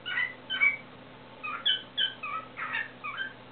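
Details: Warbling pet cockatiel indoors: a handful of bright whistled chirps and slurred notes in irregular bursts, some rising sharply, with short gaps between them and a soft constant hum behind.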